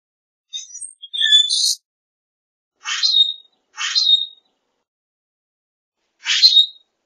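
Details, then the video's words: A common grackle gives scratchy chirps and a squeaky creaking phrase, then three short harsh rising calls spaced irregularly, high-pitched and grating, with no other sounds. "Common Grackle Song! Common Grackle call! Common Grackle - Zanate Norteño Canto"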